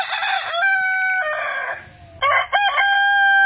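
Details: A crowing rooster gives two loud crows, each opening with rough, stuttering syllables and stretching into a long, level, ringing note, with a short dip in loudness between them.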